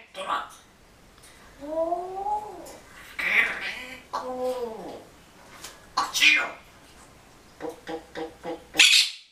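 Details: A pet red-tailed grey parrot, a very talkative female, imitates sounds: speech-like phrases, rising and falling harmonic notes, a cat-like meow and sharp whistled clicks across nine seconds.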